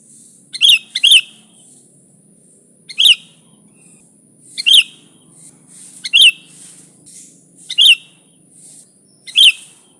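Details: Sooty-headed bulbul in energetic song, meant for luring its kind: about seven sharp, ringing chirps at uneven gaps of one to two seconds, the first pair close together, with a steady high hiss behind.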